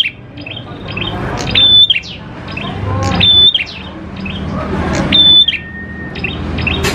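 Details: Prinia song for drawing prinias into singing: crisp chirps and a short, level, high whistle recur about every one and a half seconds, with a steady lower whistle and distant background noise.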